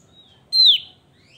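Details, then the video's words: Javan grey-throated white-eye giving a single strong whistled note that starts high and drops quickly, preceded by a faint thin whistle, in an otherwise quiet setting. "Opior Jawa gacor"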